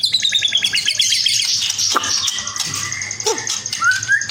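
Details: White-rumped shama of the spotted "trotol" variety singing loudly: fast runs of sharp repeated high chirps, then scattered clicks and a clear rising whistle, with a faint low hum beneath.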